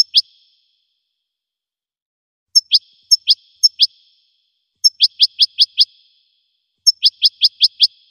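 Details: Goldfinch singing: short bright upswept chirps in bursts of two to five, separated by pauses of about two seconds, against a completely silent background.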